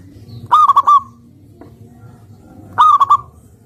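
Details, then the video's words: Local zebra dove (perkutut) singing actively: two short cooing phrases of three or four clipped, mellow notes, each under a second, about two seconds apart, over a low background hum. "Perkutut Lokal Gacor"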